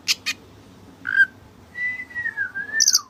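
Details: Kacer with white breast, singing continuously: two short bursts of high chatter, a brief rich note, then a long, level whistle that slowly falls, ending in high twittering.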